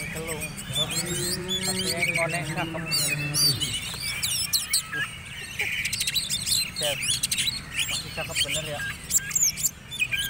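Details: Oriental magpie-robin, a captive bird readied for song contests, pours out a loud, varied song of rich whistles, rapid trills and sharp chips, with men talking over the first few seconds.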